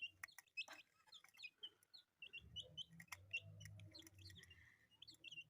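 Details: Pet chicks, colourful in appearance, give scattered high chirps, some in short runs, over a steady low background hum.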